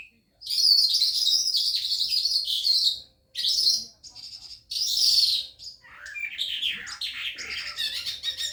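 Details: Newly arrived caged calandra lark that sings day and night, heard at night. It pours out a dense, loud, continuous warble of high chirps, buzzy trills and scratchy notes in long runs broken by brief pauses.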